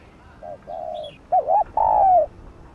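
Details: Spotted dove cooing, used to stimulate caught or captive doves to coo: a few soft mid-pitched coo notes in two groups, the later notes louder and drawn out, with one faint high chirp between them.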